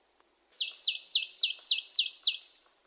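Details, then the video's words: A marsh tit gives a quick run of about seven high, sharply down-slurred notes, four per second, lasting two seconds against a quiet background. "Marsh tit 1h bird sound"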